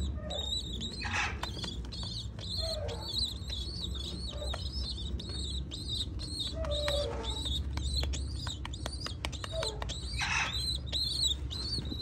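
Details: Young pigeon chicks being fed, giving insistent high-pitched squeaks in quick succession, several per second, with brief rustling bursts and a steady low background rumble.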